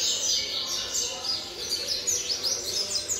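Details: Rapid, dense song of a seven-month-old double-collared seedeater, a continuous torrent of thin high chirps and downslurred notes packed tightly together.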